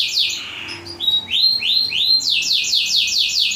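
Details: Model song of a black-throated canary for training canaries: rapid series of descending whistled sweeps, then upward-arching slurred notes, then a quick regular train of downslurred chips about every quarter second, clear and high-pitched.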